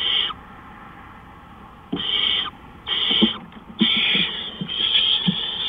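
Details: Owl calling at night, 3:15 AM on April 20, 2013: harsh, breathy hissing screeches, each under a second, four or five in quick, uneven succession with short quiet gaps.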